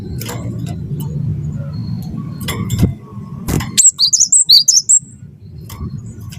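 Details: Wingko-type cinereous tit in full song, kept to draw other birds into singing; after a few seconds of low rumble and clicks, a rapid run of about eight piercing, high whistled notes bursts out.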